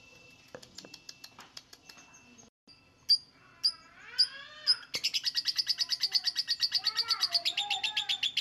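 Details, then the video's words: Lovebird calling: scattered sharp chirps, then a few loud clipped notes with falling tones, breaking into a long rapid run of harsh chattering notes, about four per second, with softer whistled slides underneath. "LOVEBIRD SINGING"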